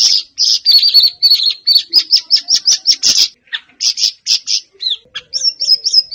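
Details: Siri-siri bird, a lure recording to get a caged bird singing: a rapid string of high chirps slowing slightly, a pause, scattered sharp notes, then a short whistled warble.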